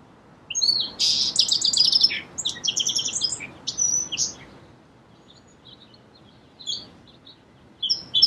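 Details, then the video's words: A song sparrow sings a long phrase of repeated high notes and buzzy trills, followed by softer scattered chips and the start of another song. "Song Sparrow Bird Sound"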